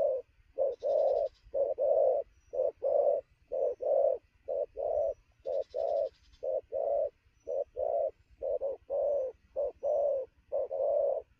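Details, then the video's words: Newly caught spotted dove doing fast cooing at noon, very lively: low hollow coos in quick short-then-long pairs, roughly one each second, with steady rhythm and brief faint high chatter in the background. "thổ gù tốc độ, 12h trưa mà bổi quá sung"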